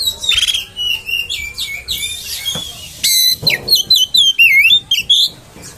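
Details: Oriental magpie-robin song used as a lure to make other magpie-robins rage; loud, rich whistled phrases with rapid sweeping, warbling and slurred rising-falling notes, becoming a quick run of sharp high bursts in the second half.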